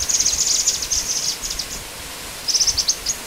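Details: Song of the black-winged flycatcher-shrike: a dense, fast chatter of very high sharp notes that slows and fades, then after a gap resumes as a brief run of clipped high chirps, with light background hiss.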